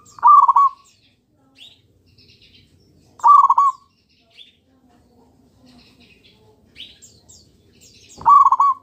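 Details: Local zebra dove singing, played as a lure so other doves respond: three quick, bubbling, trilled coo phrases spaced about three to four seconds apart, with soft faint notes in the quiet gaps.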